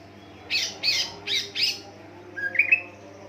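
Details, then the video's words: Greater green leafbird used as a singing lure for other leafbirds: four loud harsh rasping notes about a third of a second apart, followed by a short rising whistle with sharp ticks. "pancingan cucak ijo dijamin NYAUT ngikut gacorrrr burung bahan"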